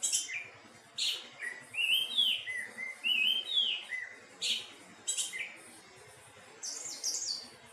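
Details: Singing anis teleng thrush mixes sharp high clicks and chips with rich slurred whistles that rise then drop, in irregular phrases over a continuous faint low background hum.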